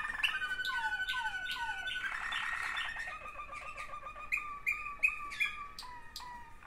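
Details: Two sibling Waterslager canaries singing: a series of clear whistled notes sliding downward, then a dense rolling trill, then short rising whistles repeated about twice a second with sharp clicky accents near the end.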